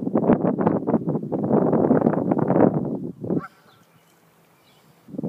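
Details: Geese raise a dense, rapid clamour of harsh honks and gabbling notes while defending their territory against a dog. The calls run almost continuously for about three seconds, break off into near silence, then return loudly at the end.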